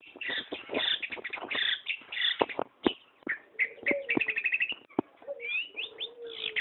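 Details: Long-tailed shrike singing actively: a dense, varied stream of chattering, buzzy and whistled phrases with quick trills and short slurred notes, sung almost without pause.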